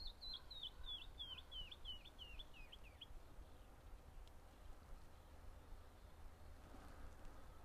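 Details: At Smith Rock State Park, among volcanic tuff cliffs, a Canyon Wren (Catherpes mexicanus) sings a descending cascade of about ten clear, downward-slurred whistled notes over three seconds, over a low wind rumble.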